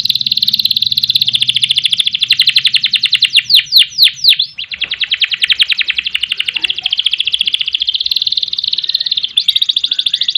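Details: Domestic canary in Indonesian gacor style, long ngerek and ngerol trills used as master song and to provoke other birds; continuous high buzzy trill, a burst of descending sweeps near the middle, then steady rapid trilling again.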